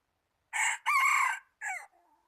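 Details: Red junglefowl used as a decoy, recorded 26 January 2019: one loud, harsh three-part crow with a short first note, a long held middle note, and a brief falling final note, followed by faint trailing sounds.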